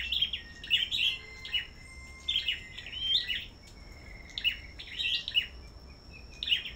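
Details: Competitive song from black-throated bushtits at a bird farm: clipped, high twittering phrases and thin whistles in bursts about every second, with a persistent faint high whine.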